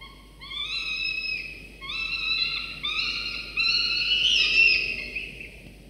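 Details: Nest-camera recording of two falcon chicks, 24 to 25 days after hatching, begging as the father arrives with prey in the morning; a series of about five long, rising, whistled whines, growing louder and more strident.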